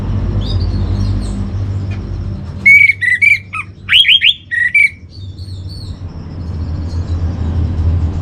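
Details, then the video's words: Master song of an orange-headed thrush for bird training: a two-second burst of sharp, clear whistles and quick down-sweeping notes in tight groups, with soft hum and faint distant chirps around it. "Menstabilkan Burung ANIS MERAH Dirumah Baik EMOSI & Birahi dengan Mendengarkan Kicauan Masteran ini"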